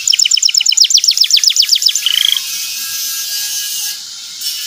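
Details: Canary song as a lure for a young canary to learn from: a quick series of downward-sweeping chirps, then a brief whistle, fading into steady hiss.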